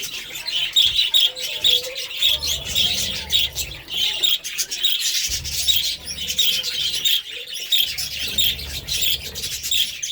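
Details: Constant high chirping and warbling of budgerigars, many short notes overlapping in a busy flock chatter, with occasional low murmuring or rumbling below.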